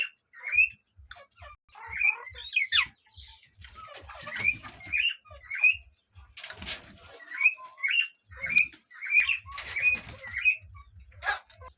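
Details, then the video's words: Pet common hill myna kept by its owner, who coaxes it onto hand and shoulder, giving short rising whistled notes and chirps in loose bursts, with soft low ticking in the background. "কথা বলা ময়না পাখি"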